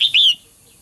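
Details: Female bird calling to make males sing actively. One brief call: a quick high note slides into a slightly longer downslurred whistle, then quiet.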